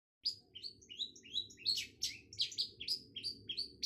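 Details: Long-tailed shrike (cendet) singing a fast, varied run of high chirps and short whistled slurs, each note different, about three notes a second with scratchy bursts between.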